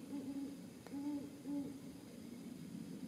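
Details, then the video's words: Great horned owl gives deep, soft, even-pitched hoots, three in under two seconds, over a faint low rumble; recorded at Caumsett State Park on 30 December 2018. "great horned owl--sound only"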